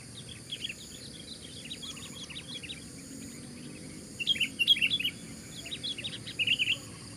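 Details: Sooty-headed bulbul kept as a decoy fighter bird, singing loudly against four rivals: loud, bright chirping phrases in bursts around the fourth and sixth seconds, over softer chirps from the other birds throughout.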